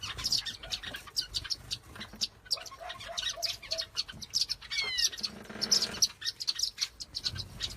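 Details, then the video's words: Mixed birds chirping, many brief high twitters and a few sliding whistles, with a short run of lower repeated notes near the middle and faint low rumble beneath. "Bird Chirps"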